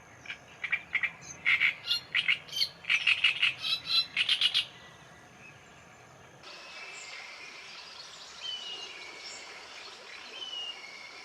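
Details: Sand martin nesting colony on the Gállego river, Zaragoza, in June: dry, scratchy chirps in a rapid busy cluster for about four seconds, then softer twittering over a steady outdoor hiss.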